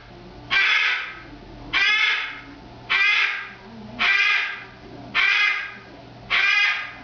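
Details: A female cockatoo's usual morning and evening screaming greeting, going on for about five minutes: loud, harsh, raspy bursts, each about a second long, repeated every second or so.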